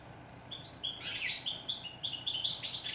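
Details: Short stretch of goldfinch song: a few clear repeated notes build into tumbling, tinkling trills and twittered slurs.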